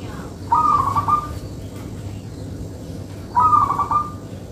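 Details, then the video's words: Zebra dove, local type, singing steadily for luring: two clear rolling coo phrases about three seconds apart, each a quick series of soft notes, over steady low noise. "Perkutut Lokal Manggung Rapet ||cocok Buat Pikat"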